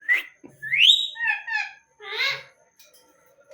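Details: Green parrot producing a sharp rising whistle, then several harmonic, voice-like syllables and a louder chattering phrase, separated by short silences.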